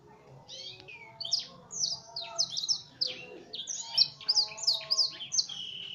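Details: Canary, F1 bird trained on blackthroat song, giving a full varied song: quick chirps, short buzzes and slurred whistles in irregular bursts, rising in volume midway, with a few sustained steady tones.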